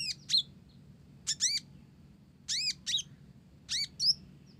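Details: Singing olive-backed sunbird of the Blorok type, its song carrying Java sparrow material: spaced pairs of loud, ringing, down-arched notes about once a second, with a few thin high chirps between, over a soft low hum.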